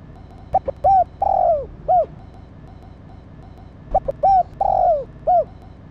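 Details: Female spotted dove cooing to excite the male. The same phrase is given twice, about three seconds apart: short clipped coos, then a long descending note and a closing coo.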